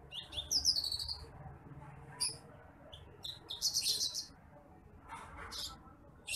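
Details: Bush lark, a rice-field bird, in a recording for teaching other birds: high twittering phrases and a few falling whistles in bursts, quiet gaps between.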